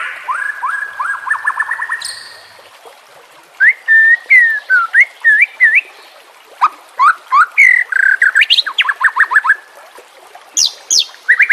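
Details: Training song of the white-rumped shama for captive birds: a rapid series of rising whistles, a high chip, then varied clear whistled notes and quick trills in bursts.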